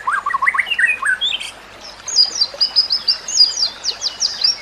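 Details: White-rumped shama song for training other shamas: a burst of quick, jerky mid-pitched notes, then a fast, very high chattering run of short, sharp notes in quick succession.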